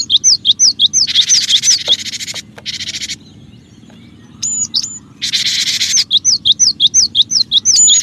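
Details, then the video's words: Cinereous tit (gelatik batu) singing to lure other birds: fast repeated high whistled chirps, nearly three per second, interrupted by harsh buzzy churrs and a short pause before the chirping resumes. "suara pikat Burung gelatik batu gacor"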